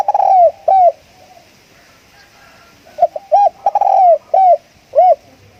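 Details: Decoy spotted dove cooing: two loud arched coos, a quiet pause with faint soft notes, then a rapid run of five hoarse, rounded coos.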